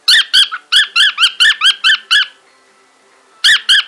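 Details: Male pet cockatiel indoors, excited by wool and chirping to it: a fast run of bright, harmonic, bending chirps, about four each second, then a pause of about a second before more chirps.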